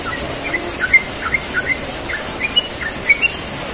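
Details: Yellow-vented bulbul singing a relaxed ropel-style song in the morning: scattered short bubbly chirped notes, spaced irregularly, over a steady faint outdoor hiss.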